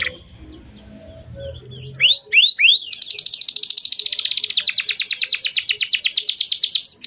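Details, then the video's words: Canary song to restart singing in stalled canaries: faint chirps over low background hum at first, then sharp rising-falling sweeps and a sustained rapid trill of repeated notes. "kenari gacor panjang Cuit Cuit EMOSI, Pancingan Kenari Paud Belajar Bunyi, terapi AMPUH Kenari MACET"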